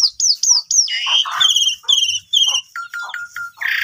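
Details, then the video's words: Asian pied starling song used as a lure to provoke sulking starlings that have stopped singing: loud clean downslurred whistles, then buzzy repeated phrases, and short flat whistled notes near the end. "Coba Gunakan Pancingan Ini ! Semua Jalak Suren Yang Lagi Pundung Macet Bunyi Seketika Langsung Emosi"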